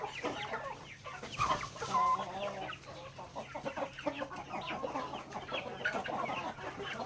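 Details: Native backyard chickens at mealtime pecking grain: steady overlapping clucks, one drawn-out whining note near the start, and constant small pecking sounds over a low hum.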